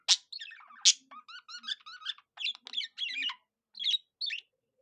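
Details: A budgerigar copying a cockatiel: two harsh loud squawks, then a run of quick rising whistled chirps and chattering notes, ending with two short squeaky calls.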